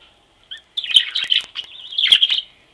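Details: Loose, free-flying budgerigars in Brazil give a short burst of warbling chirps: a few clicky notes, then rapid squeaky twitters and a wavering high trill that fade out.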